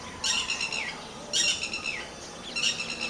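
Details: Red-wattled lapwing during a fight with dogs gives three loud, shrill calls about a second apart. Each is a strident note ending in a quick downward slur.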